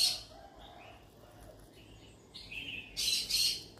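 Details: Yellow-sided conure, a talkative parrot calling for friends: faint chatter at first, then soft whistles building into two harsh, buzzy screeches toward the end.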